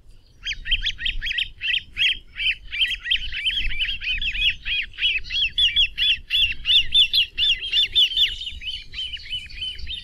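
Great crested grebe: a steady run of high, thin piping notes, about four or five a second for ten seconds, over a low rumble of wind or water.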